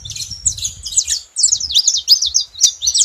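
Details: Saffron finches calling together: a fast run of sharp, high chirps and short downslurred notes, broken by a brief pause partway through, with faint low rumble underneath.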